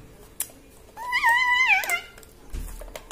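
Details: Pet talking parrot kept indoors, mimicking human speech: one drawn-out, tonal, voice-like phrase lasting about a second, level then dipping at the end, with faint room clatter around it.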